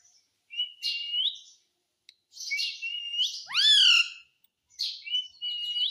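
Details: Hindi-talking Indian ringneck parakeet, known for saying "mummy" and "mitthu"; level whistled phrases that curl upward, plus one loud, rich, voice-like call sweeping up then down, with short silences.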